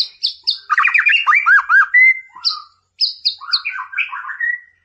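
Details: Rival-provoking 'Boomerang' song of a white-rumped shama: high ringing notes, a burst of rapid looping trills, a clear whistle, a short pause, then more high notes and tumbling warbles.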